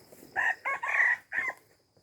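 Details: Red junglefowl from Aceh crowing on a lure recording: a hoarse four-part crow with a short opening note, a second burst, a long sustained middle and a falling final syllable, over a faint steady high whine.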